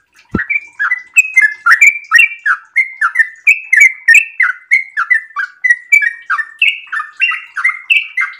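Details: A sooty-headed bulbul in breeding condition pours out an extended ropel song, a brisk, unbroken string of liquid chirps and slurred double notes, about three per second, after a single sharp click at the start.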